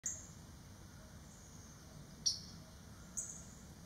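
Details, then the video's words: A Blue Grosbeak at a backyard feeder gives two or three sharp, high metallic chip notes, spaced about a second apart, over a low background hum. "Blue Grosbeak"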